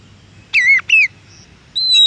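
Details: Oriental magpie-robin singing in nature: two rich downslurred whistles close together, a brief gap, then a long level high whistle, over a faint hissing background.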